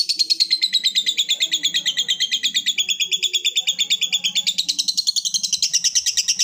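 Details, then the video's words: Lovebird giving a long ngekek trill, calling a rival: a rapid, steady chatter of high pulsed notes, roughly twenty per second, running unbroken for the whole stretch and shifting slightly in pitch midway. "Suara burung lovebird ngekek panjang | Memanggil lawan"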